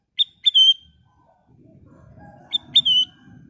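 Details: Sooty-headed bulbul (kutilang emas) in full song, used as a lure for other birds: a crisp introductory note, then a loud, liquid whistle dropping in pitch. The phrase repeats after about two and a half seconds, with a quiet hum beneath.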